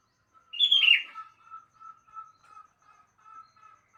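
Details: Morning song of a sooty-headed bulbul: one loud, rich, falling warbled phrase, followed by a soft row of evenly spaced short mid-pitched notes.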